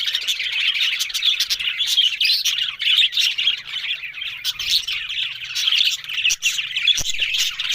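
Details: Budgerigars talking, recorded October 1: steady, rapid warbling chatter mixing thin squeaks, buzzy notes and sharp clicks, sustained for the whole stretch.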